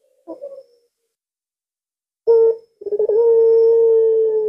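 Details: Puter pelung dove calling at midnight on a Thursday night: a short opening coo, then after a pause a stuttering start rolling into one long, level, drawn-out tone.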